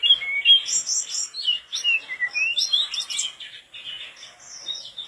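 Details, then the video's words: Mangrove blue flycatcher in vigorous, sustained song: a rich, rambling warble of high, sweet, quickly changing phrases mixed with thin twitters, with no other sounds. "tledekan bakau gacor teler"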